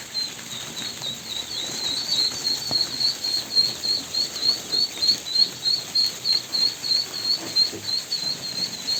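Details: Young ducks peeping: quiet at first, then a steady run of shrill, short whistled notes about three a second, evenly pulsed, over faint background rustle.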